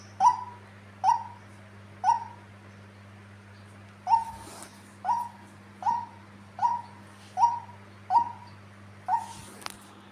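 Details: Tame female white-breasted waterhen giving a run of short downslurred calls, three at first, then a two-second pause, then a regular series of seven, over a low steady hum with a faint rustle near the end.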